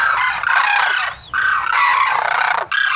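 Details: Brassy, grating Sarus crane calls in two strong bursts separated by a short drop, with a rising squeal at the break.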